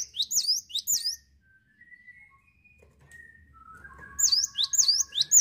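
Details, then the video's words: Cinereous tit in busy 'gacor ngetroll' song, quick high swooping notes at the start and end, with faint, lower sliding whistled tones drifting through the pause between. "GELATIK WATU GACOR NGETROLL"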